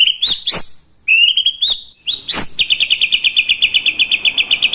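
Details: White-rumped shama song loaded with lovebird, kapas tembak and cucak jenggot imitations: a few sharp whistled upsweeps and short phrases, followed by a fast, even rattling trill.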